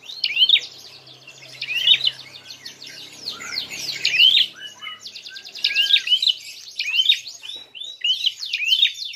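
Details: Prinia fighting call, used as a lure to provoke other birds: loud, high chirp clusters and buzzy trills in repeated bursts, with faint low background noise.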